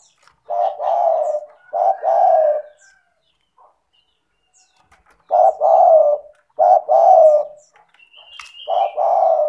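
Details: Spotted dove in full, energetic voice, used as a lure to prompt lazy doves to call: low, mellow coos in two-part phrases, a short note then a longer drawn-out coo, repeated four times with pauses; a brief high whistle from another bird near the end.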